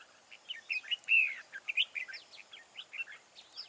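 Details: Big-bodied, big-throated red-whiskered bulbul with a wild voice, singing at a fighting trap. Lively, jumbled chirps and a louder slurred warble come in an irregular string, with a steady background hiss.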